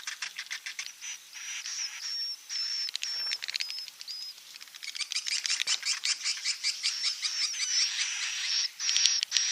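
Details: Swiftlets calling inside a productive swiftlet building: a dense, continuous chorus of high buzzy chirps and rapid clicking twitters, with thin whistled notes threading through.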